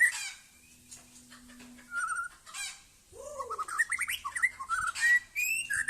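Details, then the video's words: White-rumped shama of the Aceh type, called murai Aceh, performing a sail-like display in a yard: varied clear whistles, some rising and some falling, then a fast burst of sweet, slurred phrases with quiet gaps between. "Murai Aceh"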